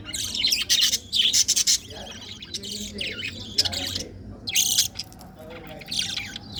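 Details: Colorful budgerigars chirping: dense, buzzy bursts of chatter in quick clusters, with a loud run in the first two seconds and more bursts near the middle and end, separated by quieter gaps.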